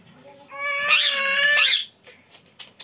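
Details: Baby parrot said to be talking in Hindi: a loud, drawn-out, richly harmonic vocalisation of over a second that bends slightly in pitch, followed by soft clicks and faint ticking sounds.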